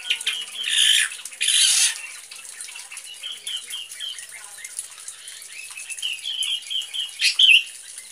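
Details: A black drongo mimics a sooty-headed bulbul: two harsh, rasping squawks, then runs of short, bright bulbul-like chirping notes, ending in a quick rising flourish.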